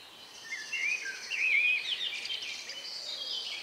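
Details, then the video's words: A bird sings in the countryside minutes before nightfall, evening of May 2, 2020, outdoor ORTF recording: rapid high warbled and whistled notes rising and falling, with faint distant twittering behind. "relax sound of bird in the evening"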